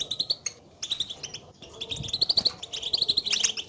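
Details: Short run of European goldfinch batbata, the call birds use to signal where they are and to rouse a silent caged bird to sing; quick pulsed chirps building into a rapid twittering burst at the end.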